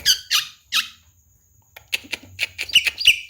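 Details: A tame, talking Javan myna with a full mimicked repertoire gives three loud rasping squawks, a short pause, then a rapid run of clicks and squeaky chirps.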